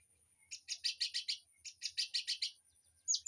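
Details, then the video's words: Birds in an aviary, recorded as training song for a white-rumped shama: two quick series of rhythmic buzzy chips, about six notes each, ending with a high sharp whistle. "Suara Burung Di AVIARY//Untuk Masteran Murai Batu"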